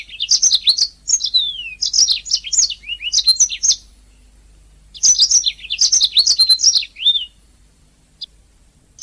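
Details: Master recording of a singing canary for bird training: two long phrases of fast, varied high chirps, rising and falling slurs and brief trills, with a pause between and a single faint note near the end.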